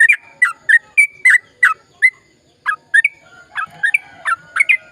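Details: Energetic long song of a sooty-headed bulbul, played to get silent bulbuls singing: quick chirped notes, a brief lull near the middle, then a livelier burst of varied, slurred phrases.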